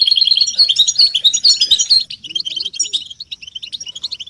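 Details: A group 'betbeta' of European goldfinch mating and readiness calls, played to make caged males sing. A loud, dense burst of liquid twittering lasts two seconds, then fades to softer scattered chirps.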